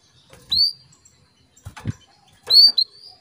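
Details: Calling female canary, meant to bring a male into breeding condition: two clear, high rising whistled tweets, the second doubled with a short tail, separated by low thumps and rustling.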